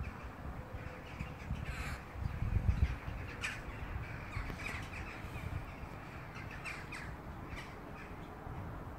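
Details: Jackdaws flying past: a series of short, sharp, clipped calls scattered through the recording, loudest around the middle, over steady low rumbling noise.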